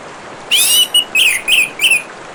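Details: Orange-headed thrush song with continuous gurgling water behind: a loud slurred whistled phrase followed by four shorter rising-and-falling whistles in quick succession.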